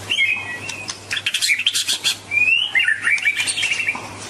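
White-rumped shama singing in rich, varied phrases: clear whistles sliding up and down, mixed with quick chattering notes and a faint low hum underneath.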